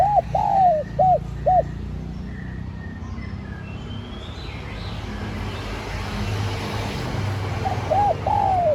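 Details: Lure call of a spotted dove meant to bring in wild doves: the tail of a soft hooting phrase opens, low background rumble fills the middle, and a new series of coos begins at the close.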